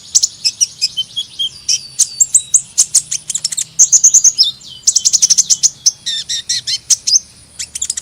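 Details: Sunbird song: dense runs of very high, thin chirps and short trills, bursts of rapid ticking notes separated by brief pauses, steady and lively throughout with no other sounds.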